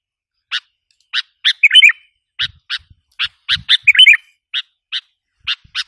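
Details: Sooty-headed bulbul lure call meant to provoke wild bulbuls: short, harsh chipping notes repeated at uneven intervals, broken twice by a quick bubbly warbled phrase, with faint low thumps in the background.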